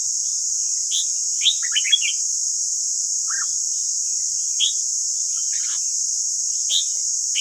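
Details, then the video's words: Red-whiskered bulbul song played to coach caged bulbuls: a few sharp whistled notes, a short twittering run, then isolated bright chirps every second or two over steady high hiss. "Luyện giọng chào mào ép bổi ép má trắng"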